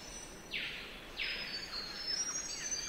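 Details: Spangled drongo (Dicrurus bracteatus) calling in Australian rainforest at Nightcap: two loud, harsh grating sweeps about half a second apart, each sliding down then trailing off, followed by softer scratchy notes against a steady high insect hiss.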